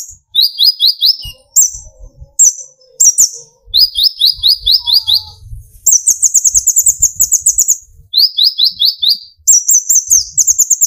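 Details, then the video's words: Young speckled olive-backed sunbird (kolibri ninja) singing to raise other birds' drive: series of short sharp chirp groups, then extended rapid high trills, with faint low rustling noise beneath. "burung konin gacor pancing tembakan konin dari yang trotol sampai full metalik nembak emosi"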